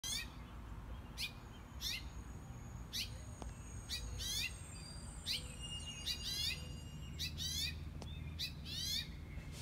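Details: A male house finch gives alarm calls in the morning near its nest on a front-porch column: sharp, high chirps in quick bursts about once a second, over steady low rumbling background noise.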